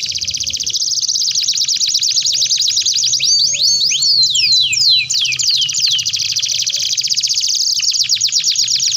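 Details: A tutoring song from a canary, meant to provoke long, lively singing. A steady high rapid trill runs throughout, broken midway by a burst of sweeping, slurred whistled notes, then returns to dense, fast, even rolling phrases.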